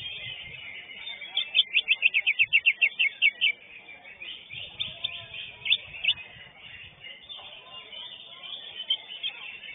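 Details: Greater green leafbird, known locally as cucak hijau, singing at a songbird contest in the Knight B class: a fast burst of about a dozen sharp, evenly spaced high chips, then scattered twittering notes, with crowd murmur below.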